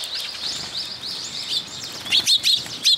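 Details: A soft continuous twittering from sparrows awaiting food at a post in a Tenmangu shrine, ending in four loud, sharp, high chirps close together.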